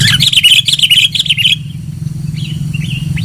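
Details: Sooty-headed bulbul played as a loud lure sound: a dense burst of quick chattering notes for about one and a half seconds, then a few soft slurred whistles, with a constant low rumble underneath.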